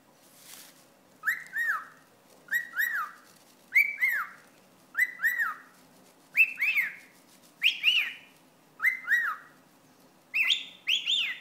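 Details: A pet cockatiel pestered by a wad of paper towel keeps up a steady series of nine doubled, scratchy arched squawks, roughly every 1.2 seconds, some pitched higher, after a soft rustle at the start.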